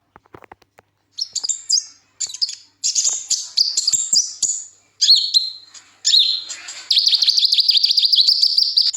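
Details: Kolibri ninja sunbird song with twisting and rasping passages, used as a tutor recording for young birds: sparse soft ticks, then high chirped phrases and a long rapid buzzy trill near the end.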